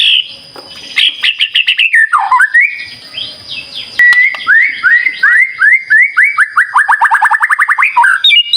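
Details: White-rumped shama song played as a lure to provoke other birds into singing: varied whistles, then a fast run of about twenty repeated rising notes, under a steady high electronic tone.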